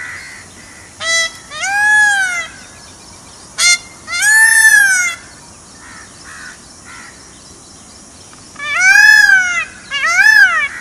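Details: Indian peafowl (peacock) wandering in a forest: loud, nasal, wailing calls, each arched in pitch and rich in harmonics, given in bursts of one to two notes, about six calls spread across the stretch, with quiet background between.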